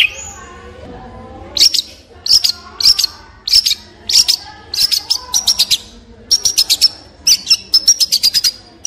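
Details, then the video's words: Long-tailed shrike song opening with a brief thin whistle, then clusters of high, rapid metallic chirps delivered in bursts with short pauses, fairly loud and clear. "Long Tailed Shrike With Beautiful Sound"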